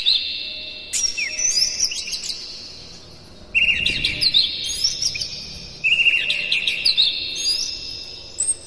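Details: Morning song of a full-voiced Oriental magpie-robin meant to get kept birds singing: three long outpourings of mixed whistles, squeaky chirps and rapid trills, separated by short silences, with a faint low thump.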